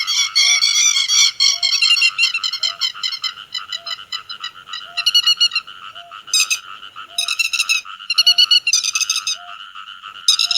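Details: Flock calling of grey-headed lapwing, used for netting birds night and day: loud rapid rasping notes at first, then spaced bursts of harsh calls, with a short low tone repeating about every second.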